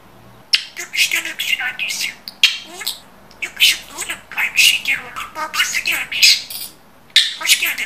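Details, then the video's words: Talking budgerigar reeling off mimicked human phrases: dense, rapid, hissy-edged syllables with occasional squawks, spread over about eight seconds with brief breaks. "İNSAN KADAR NET KONUŞAN MUHABBET KUŞU"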